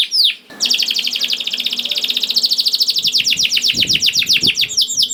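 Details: A lively canary, played to prompt silent canaries to sing, delivers a dense high rattling trill that gradually loosens into separate downward-sweeping notes, with soft low knocks in the background.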